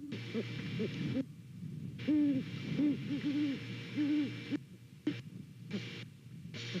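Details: Pair of great horned owls calling to each other while checking out a Savannah nest, November morning nest cam: a series of about five deep hoots in the middle, fainter ones before and after, with hiss.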